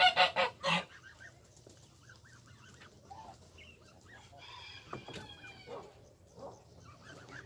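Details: Barnacle geese accompanied by goslings: a quick run of three or four loud, barking honks opens, followed by soft, high, looping peeps from the young amid faint background rustling and a few clicks.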